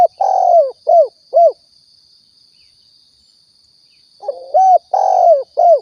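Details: Repeated coo phrases of a spotted dove, Riau, a lure sound for hunting: a long hoarse coo then two short ones, a pause of nearly three seconds, then a rolling start and more coos, over a thin high tone.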